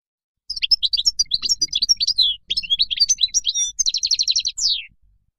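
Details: European goldfinch wild song recorded for teaching chicks. A continuous, busy twitter of varied high notes, broken by one brief gap, then a fast buzzy trill and a final falling slur.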